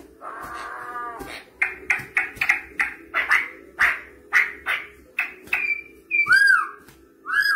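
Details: Campo troupial from Brazil: a series of short, strong whistled notes repeated roughly every half second, ending in bright arched whistles with a low steady hum in the background.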